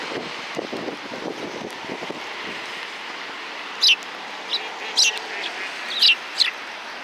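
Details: Sparrows call over a steady low rumble of outdoor noise. A handful of short, bright, high chirps come singly or in pairs about a second apart in the second half.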